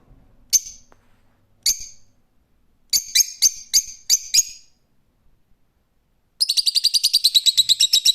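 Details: Two spaced shrill calls from a rose-ringed parakeet, then a burst of five quick screeches, and finally a fast chattering run of around fourteen harsh notes.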